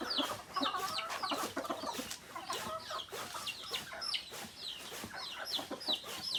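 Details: Rooster, hen and other native chickens together: busy stream of thin, falling peeps from several birds over muttered clucks, with light scratching and clatter.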